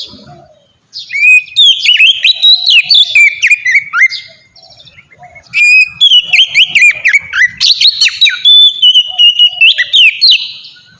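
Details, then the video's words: Oriental magpie-robin ngeplong song used to prompt young magpie-robins to sing: two loud bursts of rich swooping whistles and rapid clicks, separated by a short lull near five seconds. "suara burung kacer ngeplong merdu sangat ampuh buat pancingan kacer bahan bikin cepat gacor"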